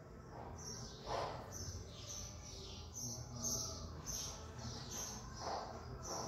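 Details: A captive double-collared seedeater sings a series of high, sharp whistled notes about every two seconds, over steady low background hum, around 10:40-11 am on 8 December, just back from a song contest where it placed third.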